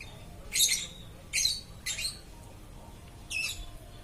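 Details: Lovebird chattering continuously, with four loud, rasping squawks separated by short pauses, each a harsh burst with a slightly rising edge, in a quiet indoor setting.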